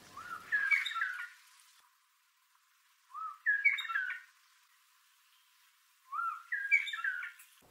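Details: Red-winged Starling (Onychognathus morio) in Southern Africa calling: three bursts of rich, fluting whistles, each opening with a rising note, repeated about every three seconds.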